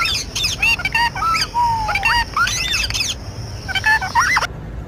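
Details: Parrot vocalizing outdoors: quick squawks, then a long gliding whistle that dips and rises, more choppy calls, ending abruptly in silence.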